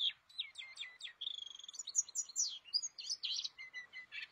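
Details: Caged white-eye, known in Indonesia as pleci, singing actively: a fast, high run of bright chirps and twittering trills, with quick stuttering bursts and slurred notes following without pause.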